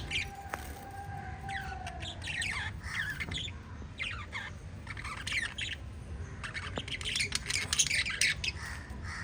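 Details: Pet budgerigar family of five warbling and chirping, with fast bursts of scratchy twittering notes, a few squawks, and one long thin whistle near the start, over low background hum.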